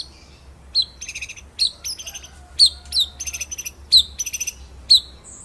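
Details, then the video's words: White-rumped shama master song used to train other birds, with bright high notes, each followed by a fast buzzy rattle, the phrases repeated about once a second. "BURUNG MURAI MASTERAN NGEROLL NEMBAK"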